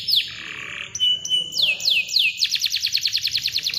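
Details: Canary song used to stir silent birds into singing: a sliding whistle and short flat tones, three slow downward sweeps, then a fast, dense roll of repeated chirps.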